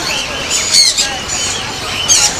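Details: Caged budgerigars of many colours, said to come from many countries, for sale at the Mirpur 1 bird market in Dhaka, Bangladesh: bright, squawky chirps and short warbled notes, with sharp high peaks near the start and end, amid busy market noise.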